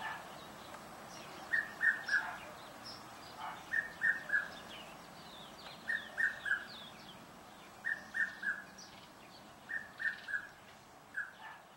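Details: In a suburban garden in Pretoria, South Africa, in October, a hard-to-spot Red-chested Cuckoo, filmed from some distance, repeats a loud, whistled three-note phrase, each note lower, about every two seconds over a steady hum.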